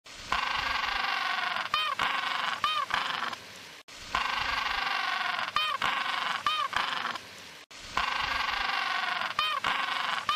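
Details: Cute penguin calls: long, loud, harmonic honking brays, each ending in wavering, warbled notes. The same phrase repeats three times, roughly every four seconds, with abrupt cuts between repeats.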